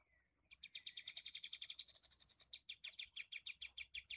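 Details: Sooty-headed bulbul, the torn-beaked 'kapas tembak' form, in a fast, sharp chattering trill of bright notes about six a second. It opens with a faint whistled slide, swells into a louder high burst mid-phrase, and keeps pulsing to the end.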